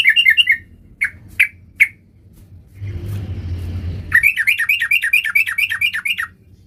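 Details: Sooty-headed bulbul in full, varied song: a burst of chirps, a few spaced single notes, a passing vehicle rumble, then a fast string of sliding chirped notes.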